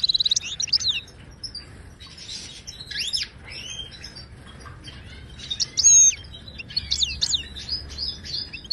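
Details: Moroccan goldfinch singing in the Widani style, a tutoring song for silent caged birds: bright, sharply twisting whistles and chattering twitters in quick clusters, with short pauses between phrases and a loud burst at six seconds.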